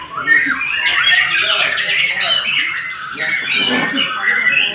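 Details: White-rumped shama singing a dense, varied stream of whistled and chattering phrases, mostly high-pitched, with quick slurred notes and some harsher squawk-like elements, continuous throughout.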